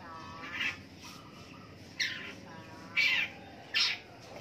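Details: Long-tailed shrike in the morning giving four harsh, rasping calls about one second apart, each short and noisy, with faint lower notes between them.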